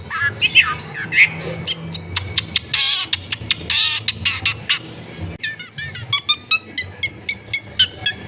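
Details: Long-tailed shrike in captivity at a home in a crowded neighbourhood, singing a fast jumble of sharp clicks, buzzy bursts and whistled notes, then a run of evenly spaced bright chirps, with a low steady hum behind.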